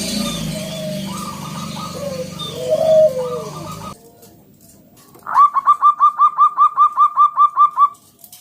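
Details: Loud local zebra dove song meant to draw other doves into calling: murmured overlapping coos, a short pause, then a crisp rapid train of about fourteen evenly spaced ringing notes.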